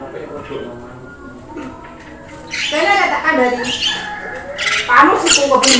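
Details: Javan myna, a caged bird, singing a training recording meant to make birds sing and talk, played with rain sounds. Starts with soft chatter, then loud harsh squawks, rasping notes and speech-like babble in rapid bursts.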